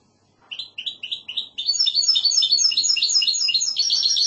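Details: Goldfinch hybrid in classic Andalusian song: four quick slurred notes repeated about every quarter second, then a dense run of high twittering and jingling phrases.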